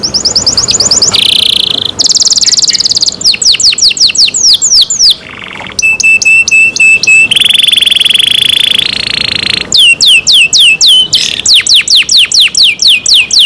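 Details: Song of a kept canary: varied tours of rapid repeated syllables, some buzzy steady tones and fast downward sweeps, switching phrase type every second or two, very loud and high-pitched throughout.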